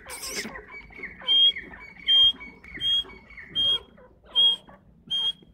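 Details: Grey francolin (teetar) calling: six clear, high, piercing whistled notes spaced roughly every seven-tenths of a second over a faint, scratchy background.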